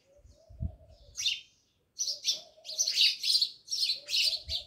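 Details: At a village house in Jamnagar, house sparrows chirp in dense overlapping bursts of high notes, while a low steady hum and soft thumps run underneath.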